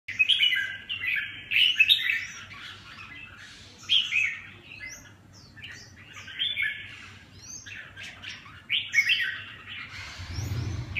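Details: Red-whiskered bulbul giving bright, warbled phrases of short rising and falling whistles, delivered in bursts separated by brief pauses; a low thump near the end.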